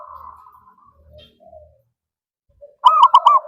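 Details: Zebra dove cooing, played as a lure to draw other birds. Soft, drawn-out low coos open the song. A loud, rolling burst of three quick throaty notes follows near the end. The background is quiet.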